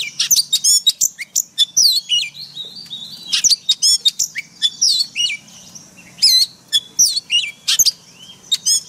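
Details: White-rumped shama forest-voice song for daily caged-bird training: nearly continuous, varied high whistles, slurred notes and sharp chips delivered in quick succession throughout.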